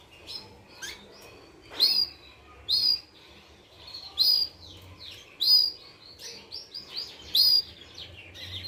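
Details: Young Portuguese Harlequin canary, 30 days old: five loud, sharp, high rising chirps spaced roughly one to two seconds apart, with soft scratchy twittering warbles filling the gaps between them.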